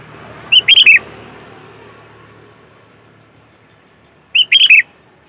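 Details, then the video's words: Sooty-headed bulbul singing lively, played as a lure to attract other bulbuls: two short bubbly phrases of three to four quick warbled notes, about four seconds apart, over a faint low hum. "Suara Burung Kutilang Gacor ASLI Tanpa isian, Ampuh untuk Pikat Kutilang bikin kutilang Ribut gacor"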